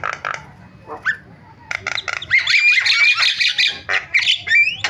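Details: Starling calling on a recording meant to make other starlings call: short harsh bursts with pauses, then a dense, busy chatter of scratchy notes mixed with sliding, rising whistles.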